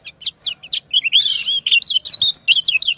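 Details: Female white-eye calling to a male as the two answer each other: a few short, high, sharp chirps, then a rapid run of bright warbled and twittering notes, sounding almost continuously.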